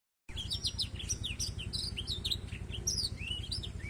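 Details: Black-throated canary song, used as tutor song for training a canary: a dense, fast run of high chirps, sweeping whistles and short trills with hardly a pause, over a steady low mechanical hum.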